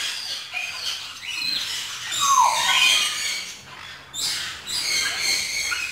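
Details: A lory eating dragon fruit gives harsh, raspy squawks in rough bursts, with a few thin rising squeals breaking through the grating noise.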